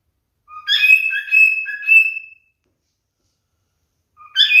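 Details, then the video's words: Male cockatiel singing during mating behaviour: a phrase of whistled notes with a long sustained tone and short lower slurs, a pause, then another phrase beginning. "#MaleCockatielMatingBehavior #FunnyCockatiel #CockatielScreaming #CockatielMaleBestSinging #Корелла"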